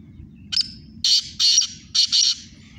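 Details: Calling contest between two Sindhi black francolins: a thin sharp lead-in note followed by four harsh, rasping bursts in a quick uneven rhythm, steady low hum behind.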